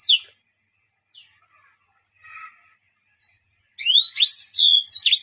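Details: Yellow-fronted canary (Mozambique bird) with a song filled with strange sounds; scattered soft chirps at first, then a burst of quick whistled sweeps, rising and falling slurs delivered rapidly near the end.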